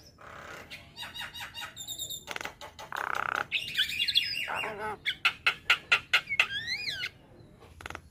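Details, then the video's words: Javan myna song used as masteran training audio for young mynas: a varied, rich run of harsh squawks, rapid clicking rattles, a buzzy nasal burst, then a string of sharp repeated notes and rising-falling whistles. "Masteran Jalak Kebo Mata Kun ing Isian Mewah | Masteran Dan Pancingan Burung Jalak Muda"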